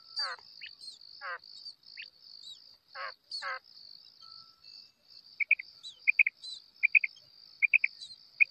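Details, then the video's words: Female quail calling: short paired bright chirps repeated about every half second in the second half, after several descending sweeping notes early on, over a steady high continuous whine. "female quail call maadi batair ki awaz"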